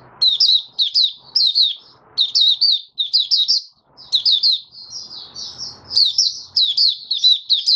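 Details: Captive oriental white-eye in song five days after monthly deworming, 20 January 2022: rapid, high twittering phrases, a softer run of slurred whistles midway, then more chirping, with light background noise.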